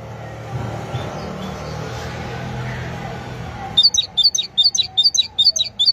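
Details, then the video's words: After nearly four seconds of low background hum, a great tit bursts into its repeated high two-note song, the phrases coming briskly and evenly to the end. "أجمل وأعذب تغريد لطائر الحداد (القرقف الكبير )chant messange charbonnier"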